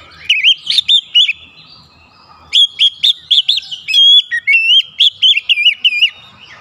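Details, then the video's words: Song of an Oriental magpie-robin, called kacer, meant to stimulate another bird to sing: clear whistled notes rising and falling, delivered in quick runs, with a pause before a longer varied phrase. "terapi Kacer langsung panas keluar variasi isian"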